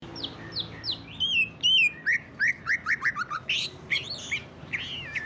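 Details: Greater green leafbird, kept bird, singing in a rich ngentrok style used to prompt other leafbirds to sing: rapid varied whistled notes, chirps and slurred rising and falling phrases around mid-high pitch, with low background hum.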